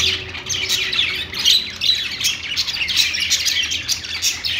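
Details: Budgerigars kept in a pet store, a flock chattering with fast, warbling high chirps and scratchy notes in unbroken overlapping bursts.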